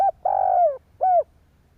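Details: Spotted dove from Vietnam, calling to rouse other doves: a brief opening note, a long smooth coo sliding downward, and a short falling final note.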